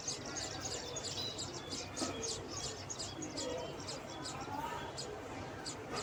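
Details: Sparrow nestlings calling from the nest, a fast stream of short high-pitched chirps, several birds overlapping, set against steady background hiss and low noise.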